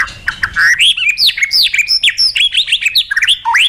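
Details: White-rumped shama song in the tembakan and isian lengkap style used to attract contest judges: a fast, varied string of loud clear whistles, sweeping and bending up and down, with short chips in between and no pauses.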